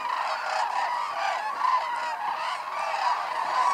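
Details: A large flock of Hooded and White-naped cranes at Arasaki Crane Center, Kyushu, Japan, in a snowy landscape calls at once. It is a dense, continuous wash of loud trumpeting and honking notes overlapping without pause.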